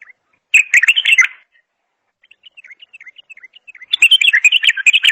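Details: Bulbul singing: a loud burst of jumbled warbling notes, a pause, a string of soft high chips, then a longer lively warbled phrase.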